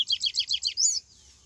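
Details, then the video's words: Part of a wild Yellow-bellied Seedeater's Bahian-style song: six quick, buzzy notes repeated at an even pace, then one longer, higher whistle. Faint low rumble in the background. "papa capim baiano canto selvagem"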